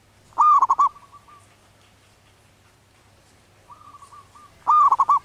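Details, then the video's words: Wild zebra dove, local bird in breeding condition, cooing its manggung song: a loud rolled phrase, a soft level trailing note, a quiet gap, then more soft cooing leading into another loud rolling phrase. "Suara anggungan perkutut lokal alam liar sedang birahi"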